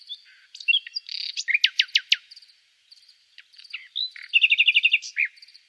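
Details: Nightingale song with varied chirps, a series of steep sweeping notes, a pause, then a fast rattling run of repeated notes and a final dropping whistle.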